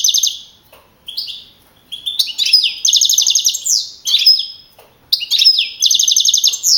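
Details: Champion young male European goldfinch from a 2012 Madrid singing contest, short twittering notes giving way to rapid, evenly pulsed buzzy trills, repeated in several phrases with brief gaps.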